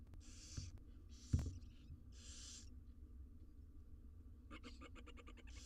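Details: Nest-box barn owl chicks in Israel hiss in three raspy bursts, then a knock and a rapid train of clicking taps, ending with another hiss, over faint hum.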